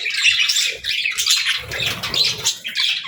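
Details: Pet budgie squawking and chattering in pulsing bursts of harsh, buzzy chirps about every half second, over low muffled knocks.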